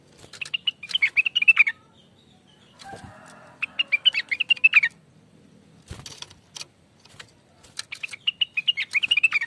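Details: ['Greater green leafbird, called rengganis or cucak wilis, sung as a lure: three phrases of rapid chirping whistles about one and a half seconds each, with a rustle and sharp clicks between them.']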